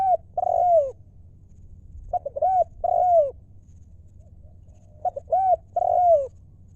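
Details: 'Liu to din' style coos from a wild spotted dove: repeated phrases of two or three brief notes and a longer bending coo, heard three times in quick succession against a low background hum.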